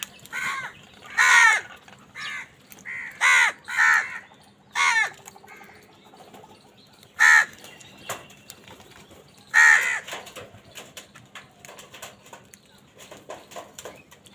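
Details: Crows squabbling angrily over food: loud, hoarse, ragged caws in a quick burst of about seven over the first five seconds, then two more spaced calls, with faint chirping of small birds in between.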